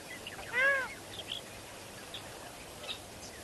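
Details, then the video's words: Lesser flamingo at Kamfers Dam, Kimberley, South Africa, picked up by a live camera: one clear, loud, harmonic honk, arched in pitch, followed by fainter distant calls from the flock over steady background chatter. "Lesser Flamingos at Kamfers Dam"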